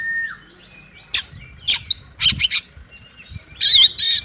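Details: Female Oriental magpie-robin calling a male to spur him into song: soft downslurred whistles, then scattered harsh scratchy bursts and a final loud raspy pair, with low rumbling background noise.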